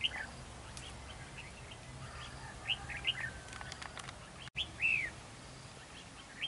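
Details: Red-whiskered bulbul at a fighting trap, with the decoy and a wild bird locked in a territorial duel. Scattered bright whistled notes lead to a louder arched, slurred phrase, then a brief click and soft background hiss.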